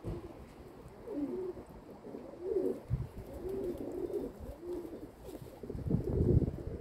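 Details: A flock of kept domestic pigeons on 27 May 2022 at 14:41 coos in a string of deep, wavering, gurgling phrases, roughly one every second, with a louder rustling burst near the end.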